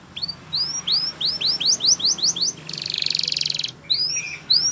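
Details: Training song of a Spanish Timbrado canary. A steady series of about a dozen rising whistled slurs leads into a dense, rapid buzzing trill, followed by more upward slurred notes.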